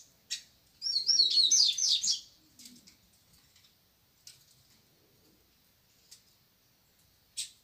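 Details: Rufous-bellied thrush singing in the morning: one dense, high, warbling phrase lasting about a second, then scattered short sharp chips and clicks against an otherwise quiet background.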